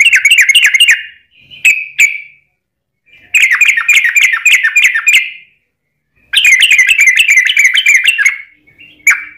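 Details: Lure song of a Yellow-vented Bulbul (trucukan), long rapid ropel style meant to trigger other trucukan to sing: three fast bursts of tumbling, bubbly chirps, each lasting one to two seconds, separated by short silences and isolated notes.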